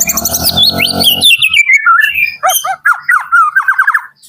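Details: White-rumped shama of Medan in morning song: a descending cascade of sweet whistled notes over a low droning background, then a row of evenly repeated, bouncing whistles.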